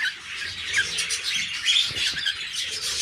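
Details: Cockatiels, a father and his son, kept as pets: dense, continuous high chirping and chattering with scratchy, overlapping notes, no clear single phrase, steady throughout.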